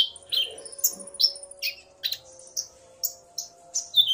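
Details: Common iora male and female calling back and forth, the male driven to sing by her voice: spaced sharp chirps and short slurred whistles roughly every half second over a faint hum.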